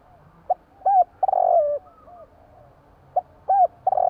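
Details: Spotted dove calling at night: a brief low note, then a hooked coo and a longer, falling, throaty coo. The phrase starts again near the end, and the background is quiet.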